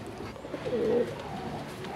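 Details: A pair of domestic Bangladeshi deshi Raj golla pigeons, offered as good callers, gives a soft, low, throaty coo in a quiet indoor space.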